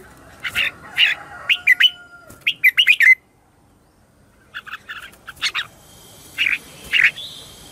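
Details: Morning song of a red-whiskered bulbul used to lure wild birds: quick series of loud chirped notes, a silent gap, then further warbled phrases, with a steady thin whistle late in the clip.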